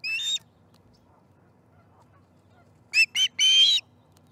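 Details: At its nest during breakfast feeding, 18 September 2019, an osprey gives one short whistled note, then after a gap two quick chirps and a longer drawn-out whistle.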